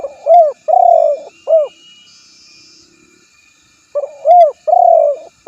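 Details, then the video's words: Spotted dove (tekukur) giving two cooing phrases separated by a pause, each a rising-falling coo, a long even coo and a shorter arched coo, over a faint high hiss. "suara burung tekukur terbaru"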